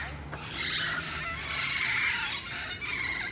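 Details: Harsh, raspy squawks from wild parrots in Sherman Oaks in the San Fernando Valley blend into a steady chatter that swells after the first half-second and stays loud to the end.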